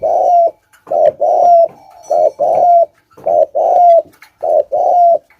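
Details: Lure spotted dove cooing thúc gù style, mellow low phrases of a brief note then a longer coo with a rising slurred tail, given in quick succession.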